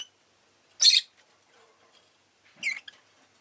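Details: Pet rosy-faced lovebird with two loud, rasping chirps about one and a half seconds apart, the second followed by a short squeak, over faint background clicks.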